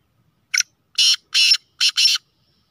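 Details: A speeder, chakri wala black francolin (kala teetar) calls a rasping five-note phrase: a brief lead-in note, two long harsh notes, then a quick grating pair, all loud and clear against silence.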